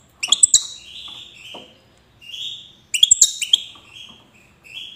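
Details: Wydani-type European goldfinch in Safi, Morocco: two loud bursts of clicking, tinkling high notes about three seconds apart, each trailing into softer drawn-out buzzy slurred tones.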